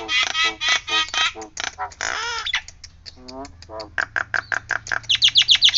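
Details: Nias hill myna producing a siren-like sequence of harsh, nasal repeated notes followed by a low gurgling run and a string of sharp, clipped high notes accelerating toward the end.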